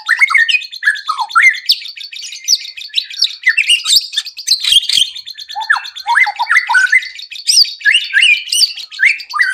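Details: Lure song of a white-rumped shama, played to prompt caged birds to sing quickly and reveal their repertoire. Dense, jumbled warbling of quick whistles, rising and falling slurs, and high chirps, with a few soft clicks.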